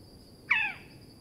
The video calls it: Australian Owlet-nightjar – Sounds & Calls